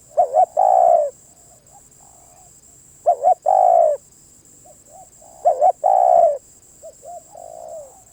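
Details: Spotted dove repeating its coo phrase three times, roughly every two and a half seconds: a quick doubled note, then a longer falling coo. Softer distant coos sound between phrases over a constant high whine.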